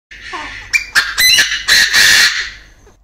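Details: Male Chinese francolin crowing in an aviary, with a female clucking nearby: a loud, harsh, rasping phrase of several ringing bursts lasting about two seconds, preceded by a few faint softer notes.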